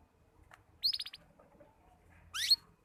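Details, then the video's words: Young canary learning to sing, its song still broken and halting: a quick burst of five descending trilled notes, a pause, then a cluster of steep upward-sweeping chirps, with faint low background rumble. "Burung Kenari Muda Belajar Bunyi || Kenari paud Belajar Berkicau"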